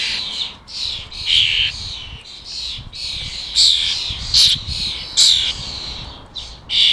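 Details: UK wild fledgling starlings being fed at a bird table, begging noisily: a run of short, harsh squawking screeches with sharp, louder bursts roughly every second, one young bird's calls overlapping the next.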